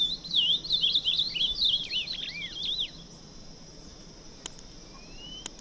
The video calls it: Ultramarine Grosbeak